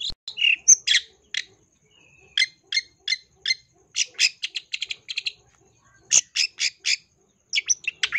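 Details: Long-tailed shrike lure song packed with imitations: short bursts of scratchy, clipped high notes in quick clusters, separated by brief pauses, one thin drawn-out whistle near the start.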